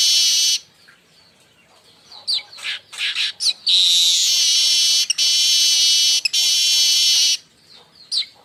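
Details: Chattering call of a baya weaver, played to lure and train other birds; short scratchy chirps lead into long, loud, high-pitched buzzy wheezes held for several seconds, briefly broken, then trailing chirps.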